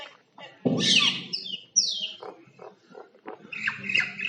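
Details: Common myna (Acridotheres tristis), song.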